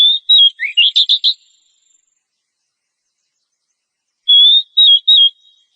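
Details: Oriental magpie-robin, described as a female in breeding condition calling the male, used as a training track for caged birds; clear whistled phrases, a rising note then quick high notes, and after a pause a wavering whistled phrase, no other sounds.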